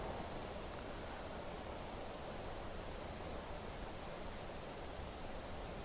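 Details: Constant broadband hiss and rumble, like wind or a running engine, with no animal voices.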